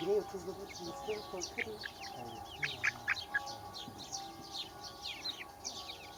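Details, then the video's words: Small chicks peep steadily in high, slurred notes, with brief soft low sounds at the start and a few clearer chirps in the middle. "Baby Chickens Chirping"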